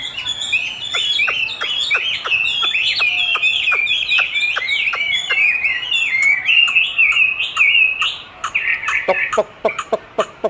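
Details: Chinese hwamei singing against its own replayed song as training, which it enjoys contesting: a long flowing stream of loud, varied whistled phrases laced with quick ticks, ending in a few separate sharp notes.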